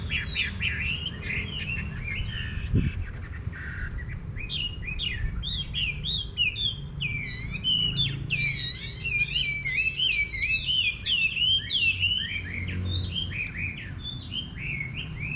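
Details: Chinese hwamei singing in a rural garden, a long varied stream of warbled whistles, trills and quick slurred phrases lasting about fifteen seconds, with a soft low rumble beneath.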